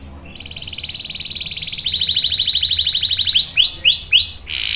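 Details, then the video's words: Canary giving a long rolling song (ngerol), used to prompt and tutor young canaries: a fast, even high trill for about two seconds, then a slightly lower rapid trill, then several swooping rise-and-fall notes ending in a buzzy burst. "KENARI GACOR NGEROL panjang bagus untuk PANCINGAN dan MASTERAN paud | CANARY SINGING"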